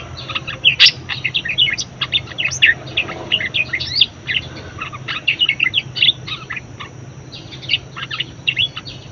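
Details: Chatty budgerigar warbling, meant as a tutor and trigger recording for other birds; long stream of fast, varied squeaks and chirps in clustered bursts, with low steady hum underneath.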